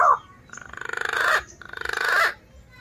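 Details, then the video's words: Captive male green pigeon calling at home, its call recorded for luring wild birds of its kind: a short sharp opening note, then two drawn-out whistled notes with a rapid tremolo, each pulsing faster and swelling louder before stopping. "SUARA ASLI PUNAI JANTAN MERDU"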